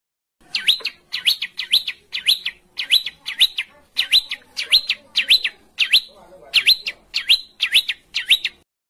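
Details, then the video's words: Rough 'besetan kasar' training material for caged songbirds and singing contests: sharp whistled notes that dip and rise, grouped in pairs and triplets and repeated steadily with short pauses. "MASTERAN BESETAN KASAR|| Bringas Kasar suara BESETAN kasar Di cari juri"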